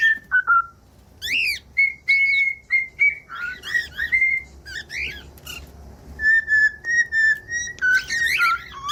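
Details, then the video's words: Cockatiel singing to stimulate other cockatiels: sustained clear whistles at a steady pitch, broken by harsh rasping calls, then a line of short repeated whistle notes and a warbled ending. "15 MINUTOS DE CANTOS DE CALOPSITA: O Som Exato Para Fazer Qualquer Calopsita Aprender Rápido"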